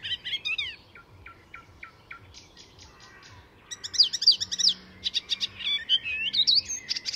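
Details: Icterine warbler at Fysingen, north of Stockholm in Sweden, mixing borrowed calls into its song: a chattered phrase, a row of evenly spaced short notes, then loud rapid warbling with swooping whistles.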